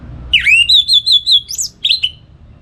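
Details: Orange-headed thrush singing in the morning as a tutor for other songbirds: a loud whistled phrase sweeping down then wavering in a rippling trill, followed by a short sharp rising note and a brief ending whistle.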